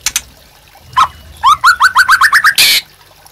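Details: White-rumped shama, a captive bird sung as a master song to train others: faint notes, then a quick run of about eight rising whistled slurs, closed by a brief harsh noisy burst.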